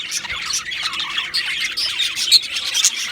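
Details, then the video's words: Two male Australian budgerigars chattering in quick, high chirps, about two notes per second, with bright little whistles and squeaks scattered through the raspy flow. "2 Male Budgies Birds Sounds | Australian Budgies Birds chirping sounds"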